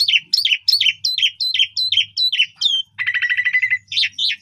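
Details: Asian pied starling singing vigorously in a training lure for young birds: about ten quick repeated falling chirps, then a fast rattling trill and more high squeaky notes over faint low hum.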